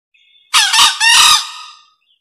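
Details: Lure call of a male green junglefowl, very clear: a brief faint lead-in, then a loud hoarse two-part crow whose drawn-out rasping second half fades away.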